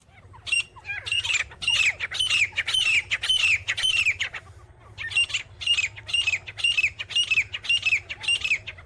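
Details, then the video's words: Grey francolin, locally called gora teetar, giving loud, harsh, squawking notes in rapid bursts of about two per second, in two long runs split by a short pause, with a low hum beneath. "grey Francolin sound"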